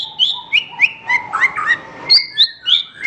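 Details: Song of Horsfield's bush lark, recorded for training other songbirds: quick, varied slurred whistles that dip and rise, strung together at about three notes a second over a steady low whistle tone.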